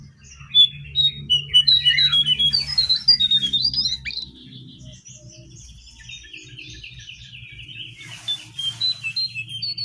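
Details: Brown prinia song used as a training lure for caged or wild birds: rapid, varied high chirps and short whistled notes, repeated about twice a second, over a steady low hum and faint rustling.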